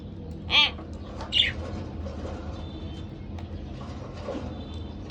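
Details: Couple of pet budgerigars giving two quick, rasping harmonic calls in the first two seconds, then only soft background noise and faint chirps.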